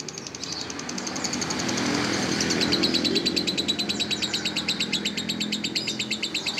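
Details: Lovebird giving a rapid, scratchy chattering song of fast repeated high notes over a rough background rumble.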